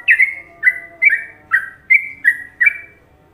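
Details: Loud fluty phrases from an Indonesian trucuk, or yellow-vented bulbul, in the Trucukan rhythm: six to seven slurred whistles, each dipping in pitch, spaced roughly every third of a second.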